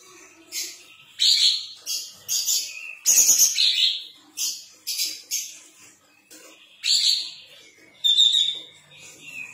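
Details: Vigorous song of a sooty-headed bulbul with tail spread open: a quick run of short, rasping, chattering notes, then two more loud buzzy phrases after a brief pause.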